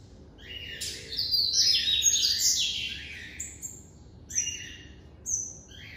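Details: Captive-bred Double-collared seedeater (coleiro), classic song style: a loud, dense burst of high buzzy and whistled notes, followed by three short sharp phrases spaced about a second apart, over a faint hum.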